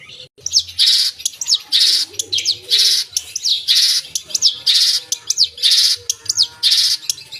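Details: Long-tailed shrike, locally cendet, singing 'gacor' with full 'isian' mimicry: loud scratchy high bursts about once a second alternating with thin downslurred whistles.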